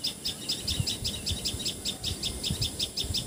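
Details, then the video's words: Common tailorbird, known in Assamese as patxhia sorai or tiposi sorai, calling in Assam, India: a rapid, steady series of sharp, high chipping notes, about five each second, over a low rumbling background. "Call Of Common Tailor Bird!"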